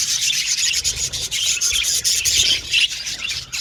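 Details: Budgies chirping in a group, playing and communicating. The overlapping chatter is raspy and rubbing in texture, with dense high trills and squeaks that go on without a break.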